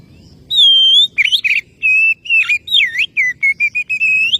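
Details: Oriental magpie-robin calling a rival: a long pure whistle, then a series of clear whistled notes, some rising, some falling or U-shaped, with short buzzy bursts between.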